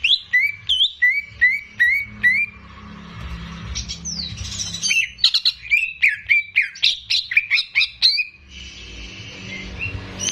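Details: Caged greater green leafbird singing gacor as a master recording for young birds: rhythmic repeated upslurred whistles about every half second, a sweeping phrase, then a dense run of chattering notes.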